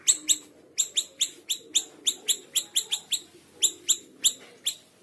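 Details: Small minivet, a lively singer, gives a rapid series of sharp, high, ringing chirps, each note slightly falling, about three per second with brief pauses, over a faint low background murmur.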